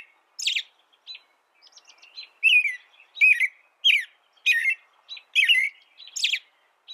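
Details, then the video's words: Tutor recording of American robin song: after a sharp opening note and a few soft twitters, loud caroling phrases with thin high overtones come in a quick series, each about half a second apart. "Suara burung american robin"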